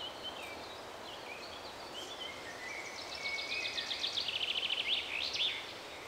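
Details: Male hazel grouse in Swedish forest of alders, spruce and shrubs, answering a whistled imitation of its territorial song: very high, thin hissing whistles, a rapid stuttering trill and a final sharp whistle, over soft forest background noise.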